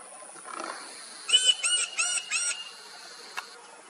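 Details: Rufous Woodpecker at Koynanagar Wildlife Sanctuary, Maharashtra, India, in November 2021, gives four quick, nasal, squealing notes in an even series lasting about a second, over a faint steady high hiss and a single click.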